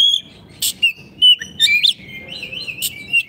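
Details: Oriental magpie-robin song for tutoring silent caged birds: long clear whistled notes, some bending upward, punctuated by a few sharp clicking chips, with soft low hum underneath.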